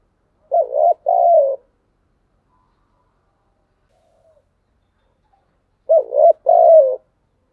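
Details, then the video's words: Spotted dove thúc gù cooing: a paired coo, short then longer and falling, repeated after about five seconds of silence. "tiếng cu gáy/ cu gáy thúc gù"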